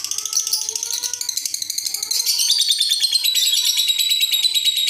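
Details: Lovebird making an unusual call: a fast, dense, buzzy chatter of rapid pulses, roughly three per second, that grows louder partway through. Faint lower steady tones run underneath, and the bird is indoors in a small room.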